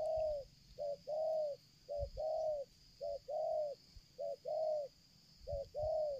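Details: Spotted dove, a strong cooer approaching from far and cooing nonstop in the stuttering 'selang gagap' style, used for bird luring: paired coos, a short note then a longer level one, repeated about once a second over low rumbling background noise.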